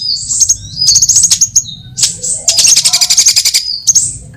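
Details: Trapping lure of mixed sunbird kinds: high chirped phrases with quick chips, then a fast pulsing trill of ticking notes around six per second, ending in a thin whistle.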